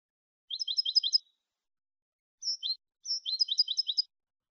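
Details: Clean Malagueño-style song of a European goldfinch, recorded for teaching caged goldfinches: rapid runs of sharp, tinkling, two-tone notes in quick bursts, a short pause with a slurred note, then another fast rattling phrase; no other sounds.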